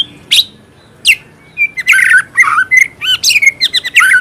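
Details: White-rumped shama singing a full, varied song with fill phrases: loud whistled notes, sharp downward sweeps and rapid chattering bursts follow each other almost without pause.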